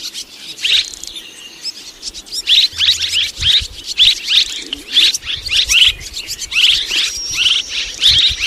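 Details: Blended calls of two swiftlet kinds from 2023: busy, high-pitched chattering twitters, bursts tumbling over one another almost without break across the whole stretch.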